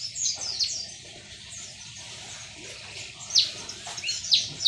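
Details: A white-eye kept since it was young chirps at midday, with scattered high, thin downslurred notes over a hissing background, growing louder toward the end in a few sharp bursts.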